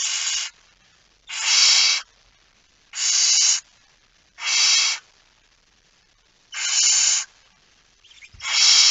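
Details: Barn owl, with a mouse, calling in the night of 17 September 2019: six coarse hissing bursts about half a second long at uneven intervals of one to two seconds, with a small knock near the end.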